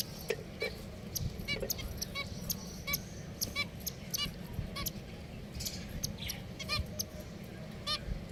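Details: Pet finches trade short, bright, trumpet-like beeps in irregular bursts, sometimes overlapping, with a low hum underneath.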